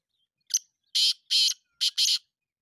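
A Black francolin gives a harsh, grating phrase of five rasping notes: a short opening chip, then two pairs of longer scratchy notes, all within two seconds.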